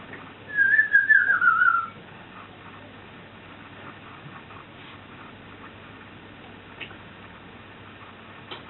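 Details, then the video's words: A pet African grey parrot gives one clear, warbling whistle that wavers and slides downward over about a second, then a quiet room. "African Grey Burping & Farting"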